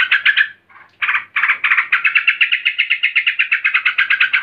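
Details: An agitated female yellow-vented bulbul, calling to males, gives a fast, harsh chattering, about four bursty notes a second, with one brief pause near the start.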